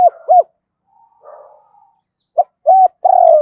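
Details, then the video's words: Lure spotted dove cooing to draw in wild doves. Paired short arched coos, a quiet gap with soft murmuring, then a clipped note, another arched coo and a long sliding coo. "Chim Cu Mồi gáy gọi kích bổi hiệu quả, tiếng chim cu gáy"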